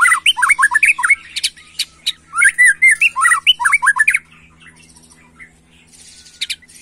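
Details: Agitated white-rumped shama in 'macul' style song meant to stir young birds: fast loud sequence of curling whistled notes with high sharp squeaks, stopping after four seconds, then faint distant chirps over a quiet indoor hum.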